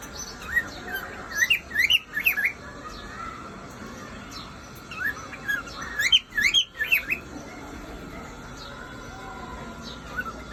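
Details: Whistling male cockatiel gives rapid runs of sharp, upward-swooping whistled notes in two busy bursts separated by a quieter pause, finishing with a single soft note; a low constant background hum persists throughout.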